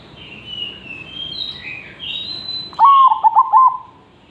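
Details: Zebra dove in lively song, used as a tutor for other birds: after a few high thin notes from another bird, a single bright phrase of quick stuttered coos ending in a short held note.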